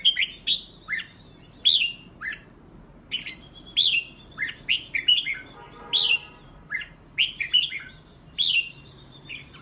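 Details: Red-whiskered bulbul song, stirred up for a singing contest: short, bright whistled phrases that rise and fall, delivered in quick bursts with brief pauses. A faint buzzy rasp sounds near the middle over low background hiss.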